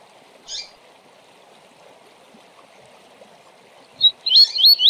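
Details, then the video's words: Rusty-collared seedeater in the Tui Tui Zel Zel tournament style, meant to train competition birds: one short chip, a long quiet stretch of background hiss, then a fast burst of curling whistled notes at the end. "Tui Tui Zel Zel para Encarte e Manejo de Papacapim e Coleiro de TORNEIO!!!"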